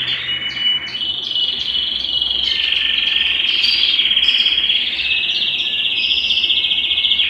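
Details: Belgian canary singing to stimulate males and bring females into breeding condition; a long buzzy sustained trill with overlaid chirps and short high notes.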